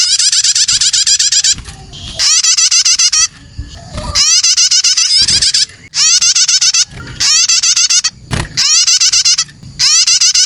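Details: Calling of young prinias, played to attract other birds: repeated bursts of rapid, upward-sweeping chirps, several per second, with irregular short silences and faint knocks.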